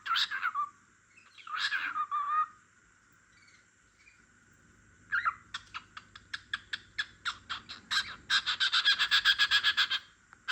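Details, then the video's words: Pet cockatiel singing beside a dozing lovebird; two warbling whistled phrases, a pause, then a fast run of short repeated chirps accelerating into a rapid chatter. "Cockatiel Sings"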